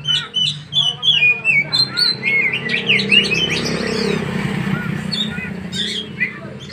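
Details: Two Oriental magpie-robins practising together; quick high whistles and chattering trills pour out in the first half, then the singing thins to scattered notes over a low background rumble.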